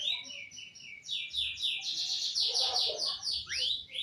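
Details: Male canary in full song: a fast, dense run of high rolling trills and repeated chirped notes, bright and nearly continuous, ending with a sharp upward-sweeping whistle.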